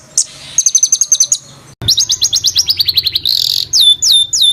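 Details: Harsh rolling bird song used to train competition fighter birds: a quick burst of sharp, high notes, a short break, then a long, slowly descending rattling trill, a scratchy buzz, and repeated downslurred whistles.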